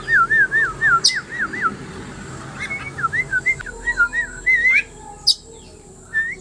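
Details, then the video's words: Oriental magpie-robin in ngobra song, meant for other birds to learn from: a rapid wavering chain of looping whistled notes, followed by uneven twisting whistles and occasional sharp high clicks, over low background noise. "kacer bahan belajar ngobra"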